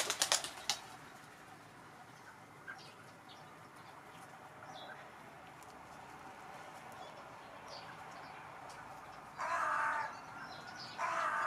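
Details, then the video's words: A fat crow, fed every day for years and staying close to its feeding spot, gives two harsh, rasping caws of about a second each near the end, after a burst of wing flapping at the start, over a steady low background hum. "Fat Crow Cawing"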